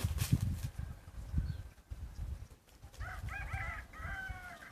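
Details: Red junglefowl decoy cock, set out to challenge rivals and make them fierce, gives a short harmonic crow of several quick rising-and-falling notes in the final two seconds, after loud low rumbling from handling or wind.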